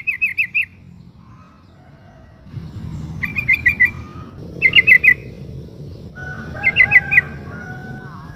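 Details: In breeding condition, a female sooty-headed bulbul calls to a male with four brief bursts of three to five sharp, rapid notes, spaced about two seconds apart. Soft lower whistles and low background noise fill the gaps.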